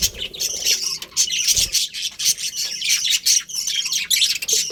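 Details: Budgerigars in a colony, colourful birds chattering in rapid, uneven bursts of high chirps and harsh squawks, with short lulls between outbursts.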